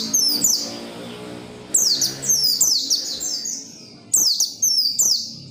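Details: Persistent, energetic oriental white-eye song used to get other white-eyes singing: bright, very high twittering phrases of rapid falling sweeps, delivered in bursts separated by short pauses, against a faint low hum.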